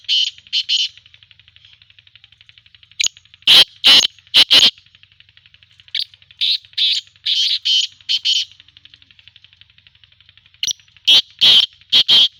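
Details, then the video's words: Black francolin from Khushab; loud, harsh, grating phrases of several clipped notes, delivered in bursts separated by pauses, with a faint rapid ticking underneath. "kala teeter ki awaz"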